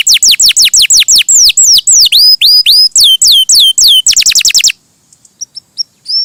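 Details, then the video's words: Loud canary song of repeated falling whistles, slowing into broader swooping notes, then a quick trill before quiet with faint soft chirps. "Suara Burung Kenari!!! GACOR MERDU"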